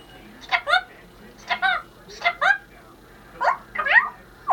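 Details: Congo African grey parrot, a female kept at home, uttering paired short, nasal, honking-like syllables that repeat in clusters about once a second, with quiet gaps between.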